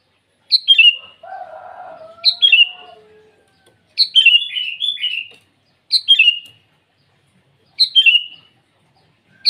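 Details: Morning song of a sooty-headed bulbul, sung vigorously while calling rivals. Five short liquid phrases come about every two seconds, each sliding downward. A lower drawn-out warbling sound runs briefly behind the first two phrases.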